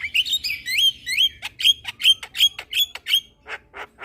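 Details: Javan myna song played to stressed mynas: about nine upslurred whistled notes repeated in quick succession, followed by a few soft hoarse rasps.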